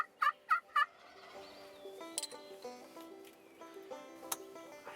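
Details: A Merriam's wild turkey in the Black Hills of South Dakota on a beautiful day gobbles in three quick, loud, rattling bursts in the first second; banjo music plays through the rest.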